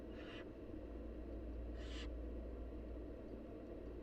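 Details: As the mother feeds them, wild barn owl nestlings give two loud, noisy snoring hisses about one and a half seconds apart. A low steady hum runs underneath.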